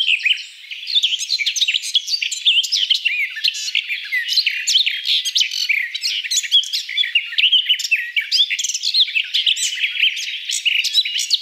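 Garden Warbler singing a long, rapid, unbroken warble of rich, mellow notes that tumble up and down without pause; no other sounds stand out.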